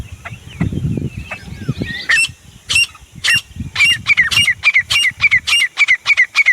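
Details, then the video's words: A grey francolin (desi teetar) gives a loud, shrill series of harsh, high notes, about three per second and building in pace, after a couple of seconds of low rustling noise. "Desi teetar // sounds teetar awaaz"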